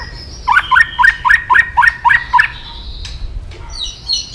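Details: White-rumped shama uttering about eight evenly spaced, mellow rising notes in a quick series, roughly every quarter second, followed by a few faint high notes, in an aggressive context.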